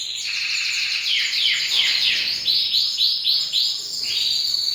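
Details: Singing canary, dense high warbling followed by a string of quick arched notes repeated about four per second, ending in a level whistled trill.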